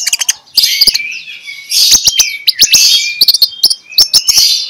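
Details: Magpie-robin song played in the morning to coax quiet magpie-robins into song: rich warbling and whistled notes run together, punctuated by crisp clicking ticks.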